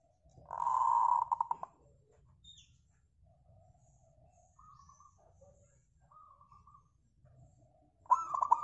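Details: Actively singing local zebra dove used to draw song from other doves: a long, dense burst of fluttering coos at the start, then faint distant cooing, and a fresh loud phrase starting just before the end.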